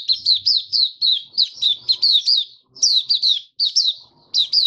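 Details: White-eye singing its opening song on 23 March 2022 in warm humid conditions: evenly spaced high, sweet, down-slurred chirps in quick phrases with small pauses, a faint low hum underneath.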